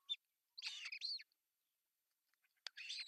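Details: At a Finnish osprey nest in Pohjois Satakunta, 10 June 2024, the male delivers a fish for breakfast. A nest camera picks up a quick high note, then harsh, slurred, chirping squeals, a pause, and another rough burst.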